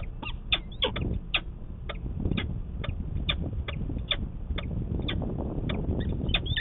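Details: Morning courtship of a peregrine falcon in Manchester, New Hampshire, 25 March 2020: spaced, scratchy cackling notes roughly twice a second, some doubled, over a low rumbling background.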